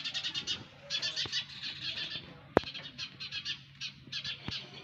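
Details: Sparrow nestlings chirping in rapid high bursts over a low hum, with a loud sharp knock midway and a few fainter clicks.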